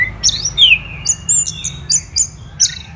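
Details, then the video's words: Orange-headed thrush singing a clear descending whistled slur, then a series of short high sharp notes spaced roughly every third of a second. "ANIS MERAH Gacor"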